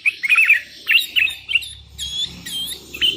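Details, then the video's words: Sooty-headed bulbul calling a rival as wild bulbuls reply: bright bubbly whistled phrases of quick slurred notes in short bursts, some higher thin notes overlapping, a faint low hum underneath. "Suara burung kutilang gacor memanggil lawan"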